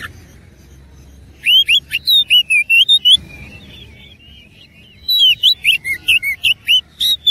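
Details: Oriental magpie-robin singing aggressively with rich borrowed phrases, two long runs of quick whistled notes, roughly a hundred per minute, each run a string of sweet slurred twists and chips, with a short lull between.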